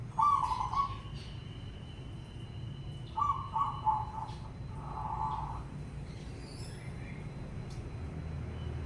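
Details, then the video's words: Calling zebra dove (perkutut) whose song should make others sing: an opening trilled coo, then a longer broken phrase of stuttering coos around three to six seconds, with a steady background tone. "Panggilan perkutut pasti bunyi dengar ini"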